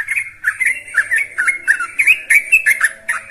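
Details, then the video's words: Lively young yellow-vented bulbul song, played to draw other birds into singing: chattering, gurgling phrases of rising and falling mid-range notes repeated in quick succession. "Suara Trucukan Untuk Pancingan"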